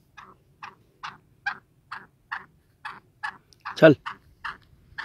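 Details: Free-ranging black francolin giving a regular series of short, rasping clucks, about two per second, broken once by a loud, sharp, low-pitched thump.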